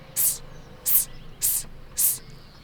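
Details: European robin chicks nearby being fed by their parents, heard from a rooftop in England on 13 May, beg with four very high, hissy, shrill bursts about a third of a second each, roughly every half second over a faint low hum.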